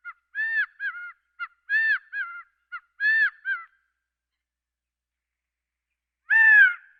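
Gambel's quail gives three quick, clipped phrases of three or four nasal, arching notes, then a pause and a single louder, harsher call.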